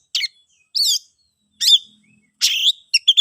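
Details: Oriental magpie-robin singing in the ngeplong style, used to draw silent birds into song: a few spaced, sharp buzzy notes followed by a harsh rasp and quick chips.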